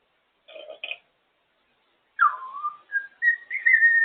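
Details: African grey parrot out of its cage indoors: two brief harsh double notes, a pause, then a run of whistles that drop, level off and climb in steps toward a sustained high note.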